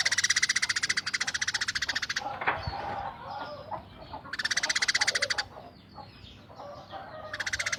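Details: Tame Eurasian tree sparrow in rough 'tembakan' style: three bursts of dense, grating chatter at roughly twelve notes a second, separated by quieter twittering and soft chirps.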